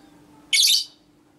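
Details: Female lovebird ngekek in the konslet minor style, used as a master recording to trigger other lovebirds: one loud, buzzy, scratchy squawk of roughly 0.3 seconds, with a low electrical hum underneath.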